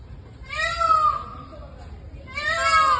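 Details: An Indian peafowl on a rainy day gives two loud, nasal, wailing calls with a slightly falling pitch, about two seconds apart, over quiet background noise.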